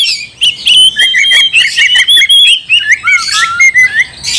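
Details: Oriental magpie-robin in provocative fighting song; a string of clear whistled notes on a steady pitch, then falling slurred whistles and buzzy scratchy notes, loud and almost continuous.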